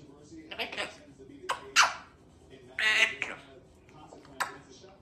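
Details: Pet African grey parrot, female, chatty indoors, speaking word-like phrases and asking for a kiss: short voiced syllables in bursts, a sharp squeak and clicks between phrases.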